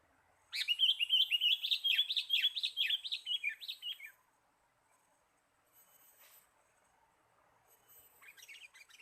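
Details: Sooty-headed bulbul lure call for trapping birds: a rapid run of bubbly, chirping notes repeated about three times a second for several seconds, then quiet, with fainter chirps returning near the end.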